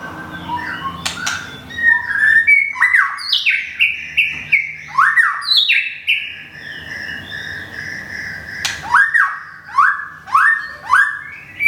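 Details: In Thung Song, Thailand, a moulting white-rumped shama pours out rich whistled song, a long series of bright slurred notes stepping up and down, broken by a few sharp clicks.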